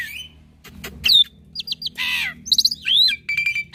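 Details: Tutor song of a young, lively black-winged myna meant for training all myna kinds: a scattered mix of rising whistles, short clipped chirps, a harsh rasping burst and a sustained flat whistle.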